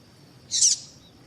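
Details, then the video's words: Single short, harsh, high chip from a female double-collared seedeater, a call played to make males sing, over a thin steady background tone. "Piado de Fêmea de Coleiro para Foguear Coleiro tui tui Com Piado de Fêmea de Coleiro Chamando"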